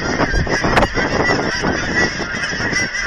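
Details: Thousands of geese crowd in to be fed at an aquatic center in Hereford, Texas; a constant wall of overlapping honks and cackles, with a sharp burst near the start and steady low background noise.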